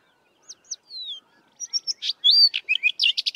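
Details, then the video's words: A Sabota Lark, a mimic, sings in the southern Karoo with little mimicry: high, clear phrases, a few slurred whistles, then a quick, jumbled run of chirps and buzzy notes, long and rambling, with no other sounds around. "Sabota Lark singing"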